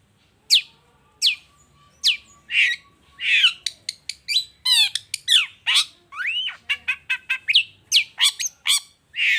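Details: Long-tailed shrike "gacor toet toet" lure song to make other shrikes answer: spaced sharp downward notes at first, then a rapid varied series of harsh squawks, rising whistles and clicks.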